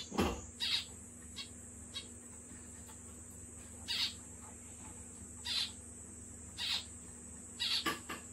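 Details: A kept zebra finch gives short, nasal, toy-trumpet beeps, singly or in quick pairs at uneven intervals, over a steady high electrical whine and low hum.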